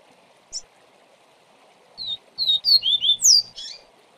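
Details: Viviti-style double-collared seedeater song used as a tutor for young birds: an isolated high chirp, a pause, then a rapid phrase of bright descending whistles and a final buzzy flourish, with a soft background hum.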